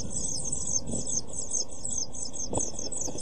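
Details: Nest box brood of seven-day-old European pied flycatcher chicks begging, 23 June 2012: high, sharp, quickly repeated chittering cheeps in a steady run, a couple of soft low knocks beneath.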